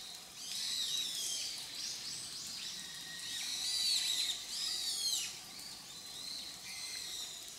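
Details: Grey wagtail calling, July to December 2023: bursts of bright, high, downward-curving chirps in two louder clusters, with steady rushing background noise.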